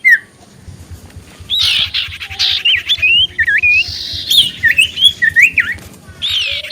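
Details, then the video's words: Common iora singing energetically as a lure to make other ioras answer: repeated clear, wavy whistled notes in short bursts, each bending up and down, over a soft background of other bird chirps. "Burung Cipoh Gacor Pancingan Paling Ampuh Bikin Burung Cipoh 5 Detik Langsung Nyaut"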